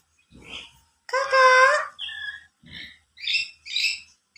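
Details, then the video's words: Yellow-sided conure that can talk, producing short harmonic voiced bursts with speech-like shifts in pitch, separated by brief pauses, with faint low human voice in the background. "burung yelow side conure bisa ngomong"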